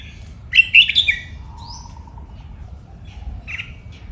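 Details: Caged red-whiskered bulbul giving playful training song: a loud, rapid phrase of chirpy whistled notes, followed by a thin upslurred whistle and a lower faint note, then a short soft chirp after a pause.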